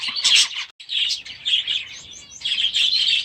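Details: Young budgerigars newly released into an aviary give scratchy warbled chirps, a short break, then steady overlapping chatter.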